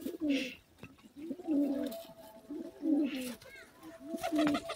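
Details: Pigeons indoors in a small room giving soft, low cooing calls, each a rolling, throaty coo repeated roughly every second or so in a steady series, with brief higher chirps and faint background rustling.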